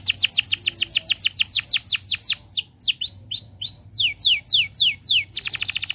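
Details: Canary song used as a master recording to prompt other canaries to sing: rapid runs of steep descending whistled notes, then slower swooping notes, ending in a fast buzzy trill.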